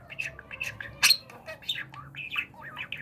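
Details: Budgerigar in a talking training session, uttering rapid voice-like warbled syllables with rising and falling tone, one sharp loud squawk near the start, low room hum behind.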